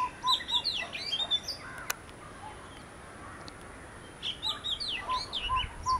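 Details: Oriental magpie-robin, one of a visiting pair, singing varied clear whistled phrases with rising and falling slurred notes, two bursts separated by a quiet gap, while a low hollow note repeats rapidly in the background.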